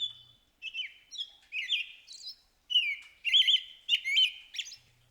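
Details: Male American robin singing in the early morning hours of spring, greeting the day: a run of clear, warbled whistled phrases, about eight short caroling notes separated by brief pauses, over an otherwise quiet background.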